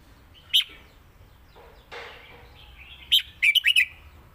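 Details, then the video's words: Red-whiskered bulbul from Thailand singing in the 'lak wai' and southern 'mae bot' song styles. After an isolated sharp note, a bright, fast burst of four or five warbled, whistled notes comes near the end over a quiet hiss. "ที่เด็ดทั้งคู่"ลากหวายVSแม่บท(Bulbul bird Thailand)"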